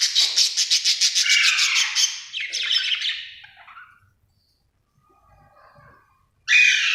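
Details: Happy budgerigar chirping with a rapid, evenly pulsed chatter of about a dozen scratchy notes, fading into softer warbles, a short silence, then an abrupt loud squawk.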